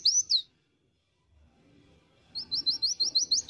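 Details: Pleci dakun white-eye in ngriwik song, a promising bird: two high slurred notes, then over a second of quiet, then a fast even series of about nine sharp, thin, rising-falling chips.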